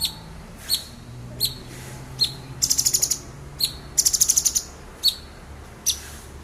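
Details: Excited male orange-bellied leafbird sings sharp 'nembak' bursts: single high clipped notes spaced under a second apart, broken twice by quick trains of about seven piercing pulses.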